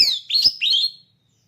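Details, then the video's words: A short phrase from a caged oriental magpie-robin, prepared for bird-song contests: a high clicking note followed by two bright, quickly slurred whistles. "Suara Burung Kacer Siap Gantang"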